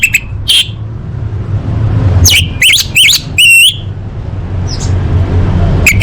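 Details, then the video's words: Tutor song of an orange-headed thrush for competition birds: separate bright rising whistled notes and a short cluster of sharp chips, spaced by pauses, with a low steady background hum. "Masteran Anis Merah Full Isian untuk Lomba Besar & Latber Elite"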